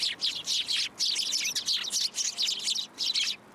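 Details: Sparrows coming to take food at Tenmangu shrine, 27 December 2022: loud, continuous bright chirping, notes tumbling together in quick rhythmic pulses with hardly a gap.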